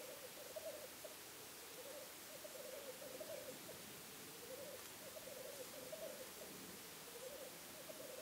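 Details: A black grouse, recorded from a hide over a weekend, gives a low, bubbling, cooing warble in rolling phrases, repeated steadily throughout, over a constant hiss of wind.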